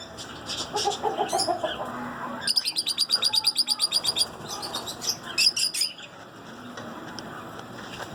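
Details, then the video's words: Zebra finches singing: a rapid run of about a dozen evenly spaced, high, nasal notes, bracketed by shorter chirps and buzzy bursts, with softer twittering and low background noise throughout. "Zebra Finches Singing"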